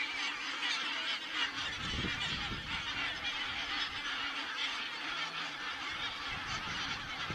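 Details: Flock of geese, Estonia, 27 September 2017, from a crane webcam: steady dense honking without pause, individual calls blurring together, with a faint low hum underneath.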